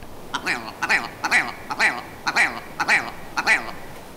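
A Willow Ptarmigan gives harsh, nasal, croaking notes, about seven in a row at roughly half-second intervals, with a quacking, laugh-like quality.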